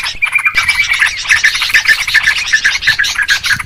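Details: Short burst of Yellow-vented Bulbul (trucukan) lure calls for trapping birds: a brief drawn-out whistle opens, followed by a dense jumble of lively chirps.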